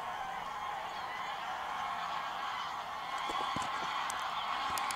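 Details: Large flock of geese taking off and landing at Wicken Fen, Burwell Fen, evening of 23 September 2016; continuous massed honking chorus, many birds overlapping, with occasional sharp clicks.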